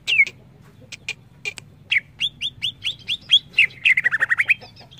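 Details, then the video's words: Greater green leafbird: loud swooping whistles and crisp chips, then a series of rising whistled notes about every third of a second, closing with a fast descending trill. "Suara burung CUCAK IJO"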